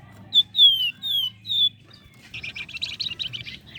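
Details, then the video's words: Flame-breasted flowerpecker song, used as a lure to provoke contest birds: several thin, high, downslurred whistles, followed by a scratchy, buzzy chattering burst. "Flamboyan Gacor !! Pancingan AMPUH Buat Burung Gantangan."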